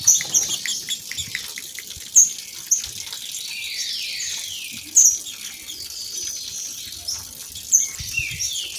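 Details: Pair of female green-winged saltators giving their song, meant to make males sing: soft falling whistled slurs in short runs, bright high clicks every few seconds, with constant rushing waterfall sound behind.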